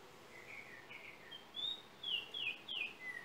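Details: Yellow oriole of Trinidad singing, taken on a cell phone: soft warbled notes give way to a long clear whistle, then loud swooping descending whistles ending on a low note, with light hiss behind.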